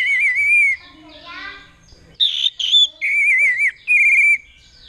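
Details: A captive orange-headed thrush in Mojokerto gives loud, wavering, high trilled whistled phrases in short bursts about a second long while a child's voice speaks between them.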